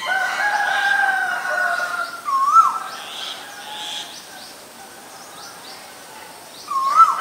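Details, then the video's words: Male and female Asian koel: two sharp upward-sweeping whistles about four seconds apart, after a drawn-out tonal sound at the start, over faint distant bird notes. "นกกาเหว่าตัวผู้และตัวเมีย (Asian koel, Male, Female)"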